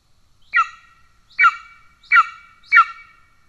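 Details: Golden eagle calling at its nest in Estonia, 17 July 2024, when the father delivers a pigeon to a young that has already eaten: four clear, piercing, downward-slurred notes at slightly uneven intervals.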